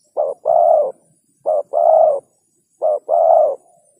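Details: A spotted dove repeats its call three times at a steady pace, about once every 1.3 seconds. Each call is a short hoot followed by a fuller, longer coo. There is no other noise.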